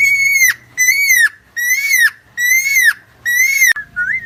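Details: Helmeted friarbird, called cucak timor or koak kaok, endemic to Nusa Tenggara, on a long training track: five drawn-out, loud, whistled notes, each level and then dipping at the end, followed by a short rising note.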